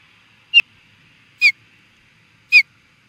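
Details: Osprey reacting to an intruder at Charlo, Montana, USA: three clipped whistled chirps about one second apart, the first joined by a sharp click, over a quiet background.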